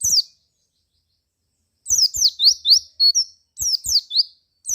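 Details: White-eye song played to provoke other white-eyes into singing: rapid bursts of high, thin, sweeping twittering notes, each burst about a second long and separated by short pauses, with faint clicks underneath.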